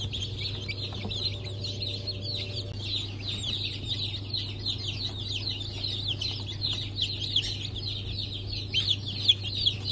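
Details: Newly hatched chicks of Sultan, Türken, Australorp and Sussex breeds, 23 March 2024: a dense chorus of high, thin peeps overlapping continuously from many chicks, over a steady low machine hum.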